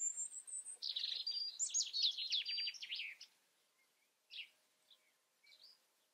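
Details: European robin opening with a high thin whistle and a dense burst of rapid buzzy notes, then falling quiet except for a few faint scattered chips.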